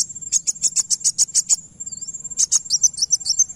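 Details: Van Hasselt's sunbird song to prompt a reply: an even series of about eight sharp, very high chips, a pause with a dipping whistle, then fast warbled twittering, all over a steady high hum.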